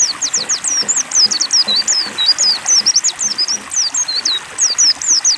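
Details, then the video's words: White-eye given water therapy to get it singing: a fast, unbroken run of high, thin, slurred twittering notes, rising and falling, over a faint steady hiss. "terapi air pleci agar mau bunyi"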